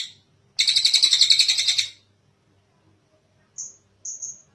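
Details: Kingfisher calling at length, recorded as a master track to train other birds: a single loud, buzzy, rapid rattle of about 1.5 seconds, followed later by two short, thin, high whistled notes.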